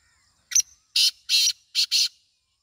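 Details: Grating, rhythmic call of the black francolin, or kala teetar: one short note, two longer buzzy rasps, then a rapid harsh pair, loud against a quiet background.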